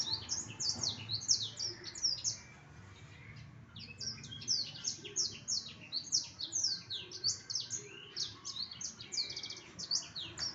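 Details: Continuous high, twittering song of a black-throated canary: rapid sharp chirps and slurred notes in tight runs, one brief pause about a third of the way through, then resuming just as busily.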